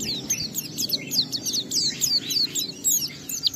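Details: Energetic ngalas-style singing from an Oriental white-eye, used to provoke other white-eyes to answer: a fast stream of sharp, high, down-slurred chirps and trills with no pause.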